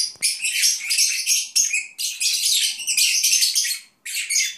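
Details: Agapornis lovebirds chattering while napping indoors: continuous rasping, high-pitched twitters in bursts of one to two seconds with brief breaks, ending after a short silence with a final burst.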